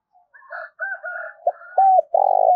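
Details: Decoy spotted dove calling to lure wild doves: soft, mixed chattering at first, then three low coos, the last one long and buzzy; a high thin whistle drifts behind.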